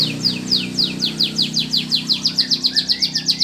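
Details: Canary song for coaxing reluctant canaries to sing: an even, steady run of sharp downslurred chips, about four to five per second, sustained throughout over a low background hum.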